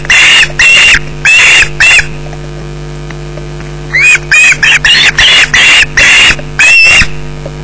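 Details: Young osprey at a Loch Garten nest on 18 July 2012 at 13:32, mantling over a fish just brought in by the adult male and screeching: loud, harsh, rasping screeches in two rapid bursts of repeated cries, separated by a brief pause.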